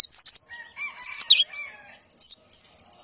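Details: White-eye female in breeding condition calling males in the morning, soliciting mating: scattered high, sharp chirps in short bursts separated by pauses, with a few faint lower whistled notes.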